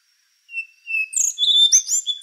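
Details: Song of the rufous-brown solitaire, an endangered thrush: a long thin whistle, then a rising flurry of high squeaky, tinkling and slurred notes packed closely together.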